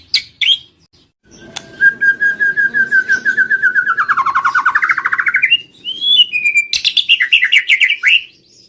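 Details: White-rumped shama lure song: a long, rapid trill of evenly repeated notes gradually dipping and rising, followed by another fast rolling trill, with a low background hum.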